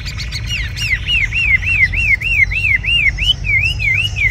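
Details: Red-whiskered bulbul, a tame caged bird, sings a fast run of bright, looping whistled notes that rise and dip in a steady wavy chain, about three per second, over low background hum.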